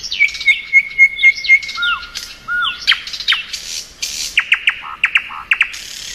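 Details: Nightingale, described as thrush nightingale (Luscinia luscinia), singing in spring: six clear, evenly spaced piping notes, then slurred whistles, a harsh rattling burst and quick, sharp repeated notes.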